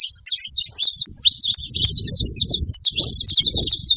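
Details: Saffron finches gathered at food chatter together. A dense, high twittering of sharp chirps and short slurs runs throughout, above low muffled thumping and rumble.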